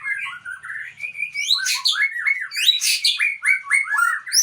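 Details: Aceh-type white-rumped shama, described as a fighter, delivering a fast run of varied whistles, sweeping slurs and harsh chattering bursts, several notes each second, with no other clear sounds.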